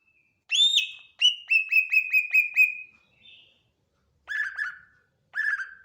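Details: Greater green leafbird song: a loud, clear whistled note with rich overtones, then a quick run of six similar ringing whistles, a softer note, and two slurred falling whistles after a pause.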